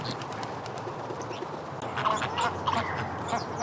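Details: Flamingos getting rowdy: a dense, steady babble of overlapping nasal, honking calls from many birds, with a few clearer, louder calls standing out around two to three seconds in.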